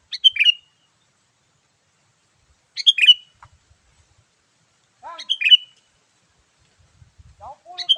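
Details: Sooty-headed bulbul calling in the lively "gacor" manner used to lure wild ones: bubbling, liquid whistled phrases ending in a sliding note, repeated about every two and a half seconds, with a lower downslurred note near the end.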